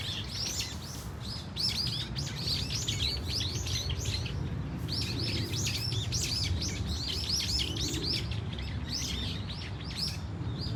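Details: Flock of Brown-eared Bulbuls calling at Dunsan Grand Park, South Korea, with varied cries: a steady stream of short high slurred chirps, many birds overlapping, over persistent low rumbling noise.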